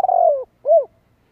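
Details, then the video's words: Tail of a spotted dove phrase in 'thổ đồng' field voice, used as a lure to excite decoy birds: a drawn-out falling rolled coo followed by one short arched coo. "Tiếng chim cu gáy Kích Bổi Tập Mồi giọng thổ đồng"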